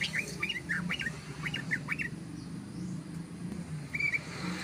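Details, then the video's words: Ropel song of a yellow-vented bulbul, played as a lure for wild birds: a couple of seconds of quick, springy chirping notes in short clusters, then quieter with a low hum beneath and one brief note near the end. "ROPELAN BURUNG TRUCUK PANJANG❗❗❗SUARA BURUNG TRUCUKAN ROPEL"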